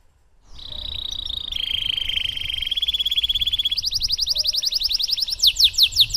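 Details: Canary singing a long training song in the Cengkok Mewah style, meant to prompt other canaries to sing: a sustained buzzy trill, then a faster rhythmic rattle and sweeping downward notes near the end.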